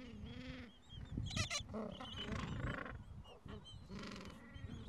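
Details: Breeding colony of gentoo penguins on the Falkland Islands, mild afternoon, adults caring for chicks aged two to three weeks; overlapping raucous, nasal brays from several birds alongside frequent high, thin chick cheeps.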